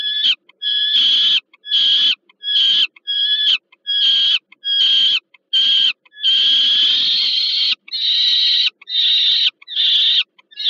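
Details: A young peregrine falcon receives food from an adult at the Termika Żerań nest, Warsaw, Poland, 15 August 2022. Short harsh screeches come in quick succession, swelling into a longer, louder scream midway before the rhythm resumes.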